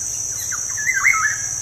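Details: Kepodang, or black-naped oriole, singing a lure phrase meant to prompt caged birds: short soft notes lead into a rich, looping whistle that dips and rises, backed by a constant shrill insect buzz.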